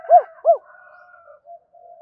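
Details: Spotted dove cooing for its mate, two short arched coos in quick succession, then faint trailing hums.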